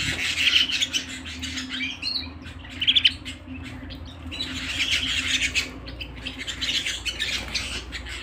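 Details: Canary singing at home in bursts: clear high whistled notes and chirpy trills, separated by short quieter gaps, over a soft low hum.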